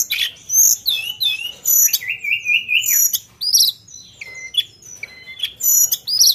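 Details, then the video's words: Sunda bush warbler in energetic song with sharp fill-in notes: a flat, slightly wavering whistle near the start, then varied high sweeps, trills and clipped chips in dense bursts over six seconds, with no other sounds. "Tledekan Gunung Gacor Isian Nembak Tajam"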